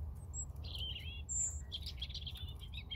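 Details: Song of a European robin: a brief run of high, thin warbled notes with a piercing whistle in the middle, then a scratchy tumbling twitter, set against constant low-pitched background rumble.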